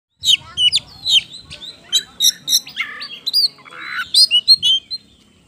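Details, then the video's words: Oriental magpie-robin (kacer) in full, lively song, used as a lure to provoke other birds into singing: a rapid run of varied sharp whistles, chirps and squeaky notes, with two harsher buzzy bursts near the middle. "PANCINGAN KACER GACOR NGOBRA NGOTOT"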